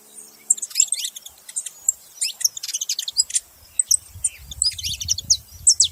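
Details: ['Group of saffron finches making noise together, overlapping bright high chirps and quick slurred notes throughout, with a low rumbling noise under the second half.']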